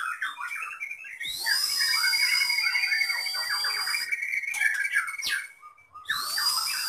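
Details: Medan white-rumped shama in a cage, its song filled with copied lovebird, canary and cililin phrases; loud rising whistles lead into dense, jumbled twittering with bright sweeping notes, broken by short pauses.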